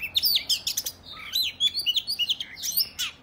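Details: Kacer (Oriental magpie-robin) in full fighting song, 'ngobra' style, used to provoke rival males into display; quick sequence of high whistles, upward and downward slurs and short chirps, delivered almost without pause.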